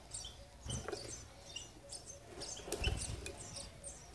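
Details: Sparrows feeding their young, recorded on 19 June 2020: thin, high chirps and tweets repeated in quick irregular bursts throughout, with a few low soft thumps and brief rustling.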